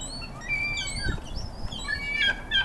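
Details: Ring-billed and Iceland gulls in a feeding frenzy, fighting over food, with the smaller gull making noise. Many overlapping high, thin, whistled calls with slurred and falling notes, over low rumbling background noise.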